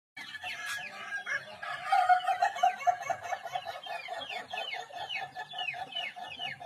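An Ayam Ketawa rooster crows in a long string of quick, staccato notes that sound like laughter.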